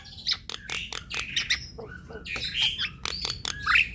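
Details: Javan myna chatter used to encourage quiet birds to sing: harsh, noisy squawks and clicks crowded together, with a brief mellow hooting note in the middle and a squeaky whistle near the end.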